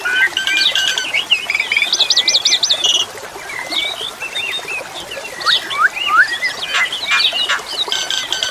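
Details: Asian pied starling song, set against flowing water: a varied, busy medley of whistles, rapid trills, squeaky chatter and sliding notes, with loud bursts and quieter stretches throughout.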